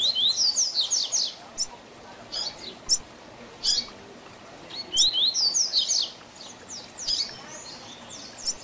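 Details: Double-collared seedeater in tui tui zel zel style song, played as a tutor for young birds: rapid bursts of high, sharp down-slurred whistles in fast trills, separated by pauses and scattered single notes.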